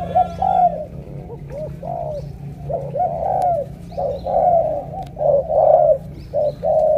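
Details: Spotted dove from Cà Mau, Vietnam, delivering a strong 'thổ cọp' style coo that sounds pigeon-like: about ten mellow, low, hooting notes in uneven bursts, some rising then falling, over a steady low hum with faint clicks.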